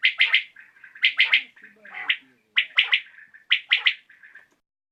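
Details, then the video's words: Common quail (batair) calling in the evening, recorded for quail hunting: a clear repeated three-note phrase, sharp and bright, given roughly once a second with short pauses, with softer notes between phrases and no other clear sounds. "COMMON QUAIL CALLING | BATAIR KI AWAZ | AJ SHAM KI RECORDING"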